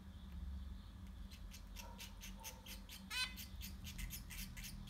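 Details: Six zebra finch chicks in a nest, a rapid run of short rasping begging notes with one louder harsh burst, above constant low electrical hum.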